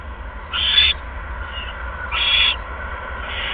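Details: Owl at its nest while bringing a second mouse, 16 February 2015 at 8:38 PM; two harsh, raspy, high screeching calls about 1.5 seconds apart, with a third beginning at the end, over a steady low hum.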